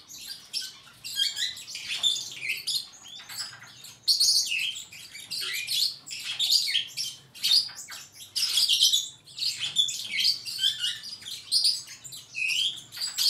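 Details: Long, continuous superb starling song, a dense mix of trills, clicks, squeaks and high whistled notes running almost without a break.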